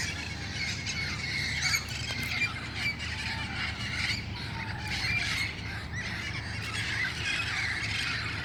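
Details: At dusk, wild red-crowned parrots gather in El Cajon before roosting nearby; harsh squawks and a few clearer whistled notes rise from a busy, overlapping chorus, with low-frequency background noise.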